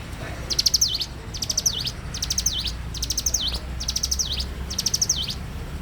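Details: Lively bar-winged prinia in the morning, giving six evenly spaced phrases of fast high chipping that end in a dipping slurred note, roughly one phrase a second, against faint low background noise.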